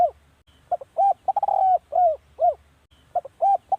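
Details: Decoy-calling recording of a spotted dove: rounded, hollow coos rising and falling, a quick rattling run of notes, then two more coos, with a new phrase starting near the end over faint low hum.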